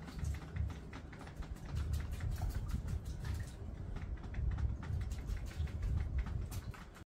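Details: Male Common Bronzewing courting a female in a backyard, giving low, deep growling 'oom' notes in short bursts about every second and a half, with a young Red-capped Parrot bathing nearby and faint patter and ticking sounds over the top.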